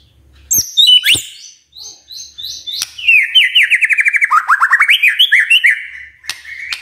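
Oriental magpie-robin song: high whistled notes and sharp clicks, then a fast run of rising, slurred phrases repeated several times a second, ending in a sustained whistle.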